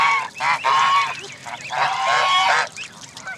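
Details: At Jess Ranch Lakes Park on May 23, 2014, among 29 Canada goose families with goslings: several loud, harsh honks in quick succession, then softer upward-flicking peeps at the end.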